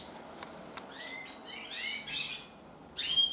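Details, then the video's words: Male red-mosaic isabel canary, 2024: a few soft clicks, then rising whistled notes and a short buzzy trill, ending in a louder bright whistled phrase. "Kanarienvogel Rot-mosaik isabell 2024"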